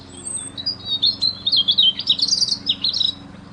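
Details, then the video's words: A bird twittering: a lively, continuous string of quick high chirps that rise and fall for about two seconds, then stop. "Cute birds with original chirping sounds.."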